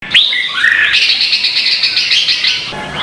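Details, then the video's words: Red-whiskered bulbul in Vietnam giving competitive contest song, used as a lure to train and stir other birds: a bright rising note, then a run of fast warbled, bubbling phrases held high and loud for nearly three seconds. "Chào mào hót đấu hay nhất việt nam"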